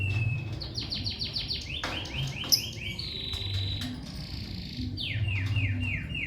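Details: Lovebird producing fast series of short, high, falling chirps in several bursts, with a thin steady tone at first and a low hum in the background.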